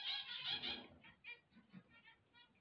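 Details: A burst of loud, buzzy zebra finch chatter on waking, quickly dropping to softer, spaced nasal notes and faint twittering.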